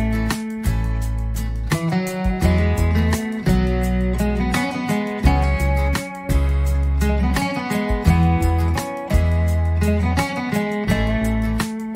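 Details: Strummed acoustic guitar music with a steady bass line plays throughout, and no animal sounds are heard.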